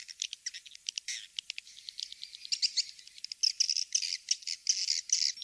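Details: Swiftlet lure recording named King's Star, used to attract swiftlets to nest houses: dense rapid chirping and clicking twitters, bursts of sharp buzzy notes running continuously with shifting rhythm.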